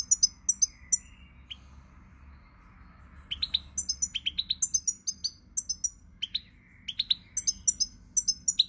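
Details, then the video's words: On 20 March 2020 a pied European goldfinch sings: scattered high chirps, then a fast sequence of sparkling twitters and clipped whistles gathered in rhythmic groups, with soft background noise. "GOLDFINCH SONG"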